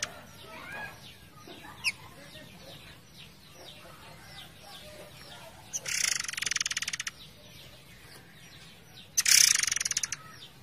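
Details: Forktail recording set over a background of flowing water, faint, high sweeping whistles then two long, harsh buzzing bursts, each lasting over a second, about three seconds apart.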